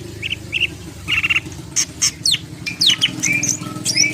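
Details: Greater green leafbird, Medan type, full isian singing. Short trilled bursts and downslurred whistles sound over a steady low rumbling background noise throughout.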